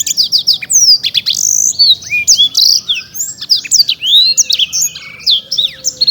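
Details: Black-throated canary, a prize-winning caged songbird from Indonesia, pouring out a continuous torrent of sharp high twitters, slurred whistles and quick trills with hardly a break.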